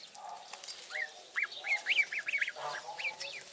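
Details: Twenty-two-day-old African goose goslings during feeding. They give a run of clear, upward-sweeping whistled peeps, several in close series around the middle, over faint background chatter.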